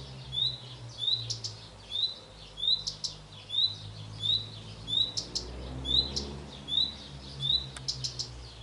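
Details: Male common redstart (Phoenicurus phoenicurus) singing from a pear tree, giving short, high, rising whistled notes about once a second, over faint clicks and a low background rumble.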